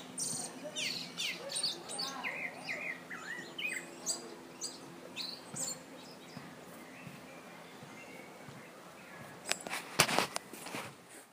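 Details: Mockingbird at Lake Atitlan, Guatemala, imitating many other birds: a rapid jumble of varied chirps, whistles and short trills packed into the first six seconds, then a quieter stretch and sharp clicking bursts near the end.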